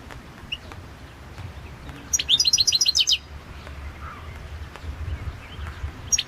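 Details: Competition song of a Balkan goldfinch, Carduelis carduelis balcanica, entered in the 2022 world championship: after quiet, one fast metallic trill of about ten high chirps, with a faint soft note near the end.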